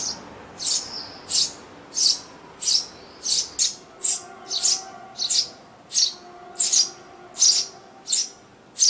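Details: Eurasian tree sparrows, a family inside a garden nest box used by a breeding pair each year, summer 2012; a steady series of thirteen high, rasping chirps, roughly one every two-thirds of a second, over faint background hum.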